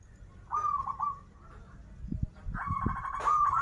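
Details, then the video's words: Local Banten zebra dove singing krital and warung kebek styles: a short purring coo, a pause with low knocking sounds, then a long sustained trilled phrase running to the end. "Perkutut lokal gacoran suara krital, warung kebek, dan suara aneh"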